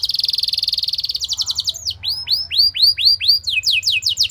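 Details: A canary sings a loud 'nembak' lure song to set other canaries singing. A fast even trill rolls for about a second, then gives way to slower, arched whistled notes repeated about four per second.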